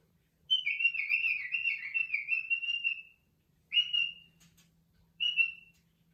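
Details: Male pet cockatiel out of its cage, teasing other caged birds, gives a long warbling whistle, then two short rising whistled notes.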